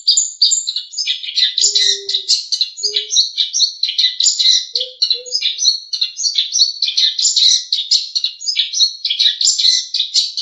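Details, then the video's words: Long-tailed shrike training recording: a rich, varied medley of high chirps, squeaks and whistles delivered almost without pause, with a few soft low hooting notes in between. "Masteran Terbaik Pentet / Cendet | Song 3"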